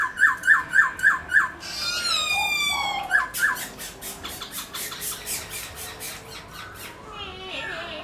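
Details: Black-throated laughingthrush, likely a kept bird, played to prompt other caged laughingthrushes to sing. A rapid run of five clear whistled notes opens, followed by harsh, buzzy, noisy bursts and a few more whistles that trail off.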